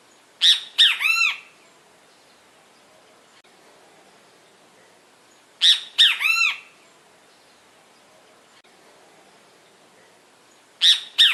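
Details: Great kiskadee (bem-te-vi) giving loud three-part calls: two sharp notes, then a harsh arched note with stacked overtones. The phrase repeats roughly every five seconds against a quiet background.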